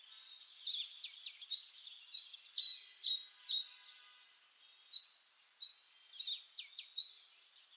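An Oriental magpie-robin sings varied, sweet whistled phrases with sharp downslurred notes, delivered in two bursts separated by a short pause; little else is heard.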